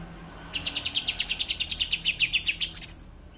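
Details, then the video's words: A greater green leafbird delivers a steady rattle of high, quick chips in the tembakan kapas tembak style, rising to a couple of shrill notes at the end. "Cucak hijau tembakan kapas tembak"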